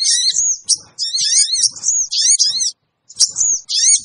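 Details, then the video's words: Sooty-headed bulbul sounding a lure call to attract wild birds: loud, shrill, warbling squeals in close succession, with sliding high notes and one brief pause. "suara pikat burung kecil sogon bikin sogon liar cepat ngumpul"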